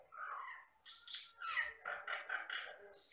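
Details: Jalak Batam myna, a starling-like bird of lowland rice fields and plantations in the Riau Islands, known to copy any sound including human voices; harsh squawks and rapid chattering, scratchy notes in a varied, busy run.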